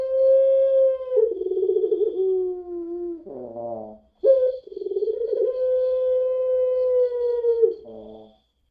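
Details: Long-voiced puter pelung dove lure song: a steady hooting coo sliding lower into a wavering tremble, a rough coughing rattle, then another long smooth coo ending in a throaty catch.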